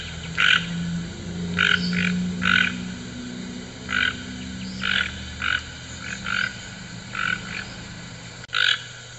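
A toucan gives harsh, froglike croaks, single or in quick pairs, about a dozen in nine seconds, over a low steady rumble of background hum.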